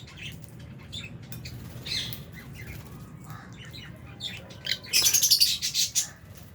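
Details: Albino and Fisher's lovebirds sharing an aviary with budgies at feeding time: scattered high, scratchy chirps build into a quick burst of loud, rapid squawky notes near the end, then fade.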